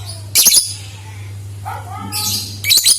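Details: Lovebird chirping, used as a lure to make other lovebirds sing: short, harsh, buzzy high-pitched bursts at the start and end, with fainter thinner notes between, over a steady low hum.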